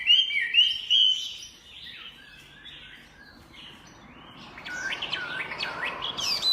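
Chinese hwamei singing a rich, varied song: clear whistled phrases, then a brief lull, then quick rising and falling slurred notes.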